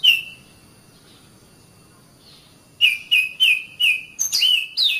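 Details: Magpie-robin training song for caged birds: after one whistle and a long quiet gap, a string of bright, evenly spaced whistled notes with a few higher, scratchier flourishes at the end.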